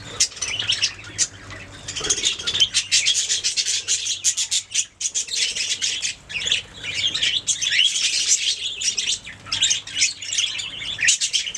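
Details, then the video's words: Budgerigars singing and chirping: a dense, continuous warbling chatter of buzzy, scratchy notes and quick chirps, with louder bursts around the middle and few pauses. "Budgies singing making sounds chirping"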